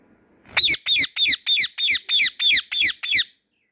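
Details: Pet white ringneck parrot calling in a garden, nine grating, high shrieks delivered in a steady, rapid series of about three per second before stopping abruptly.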